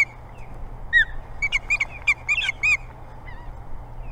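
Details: Several ospreys are in a dispute over the Boathouse nest on Hog Island, Maine. Clear, slurred downward whistles are followed by a quick cluster of sharp chirps, over a low steady hum.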